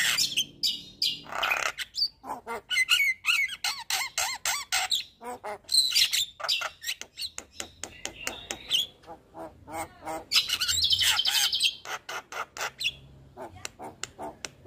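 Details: Song of a Javan myna, played to make reluctant birds sing: a fast jumble of harsh squawks, clicks and whistled chirps with a brief buzzy burst midway.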